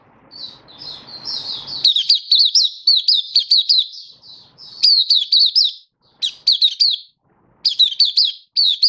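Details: A Malaysian white-eye sings in Singapore on 20 March 2023 in stable, warm, sunny weather: a rapid, high twittering song of sweet chirps and trills in bursts, with a brief low rumble at the start.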